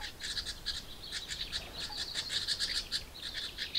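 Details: Baby house wrens in a birdbox begging as parents deliver food, a continuous chorus of shrill, scratchy chirps repeated in fast pulses, several birds calling at once.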